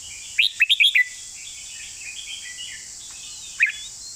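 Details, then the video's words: A red-whiskered bulbul gives one master song phrase in the golden-phrasing style: a rapid string of five clear, warbling whistles. Quiet twitters follow before a single sharp note near the end, with steady background hiss throughout. "สำนวนทอง/วางเพลงชัดๆ/เพลงแม่บท #นกกรงหัวจุก"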